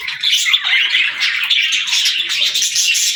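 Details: Parakeets at play keep up a thick, high warbling chatter, many quick chirps blending into one continuous stream.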